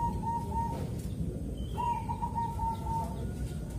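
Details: Zebra dove in Kediri, East Java, with a calm morning song meant to draw other zebra doves into singing; two drawn-out, wavering whistled coos separated by a pause, over a low rumbling background.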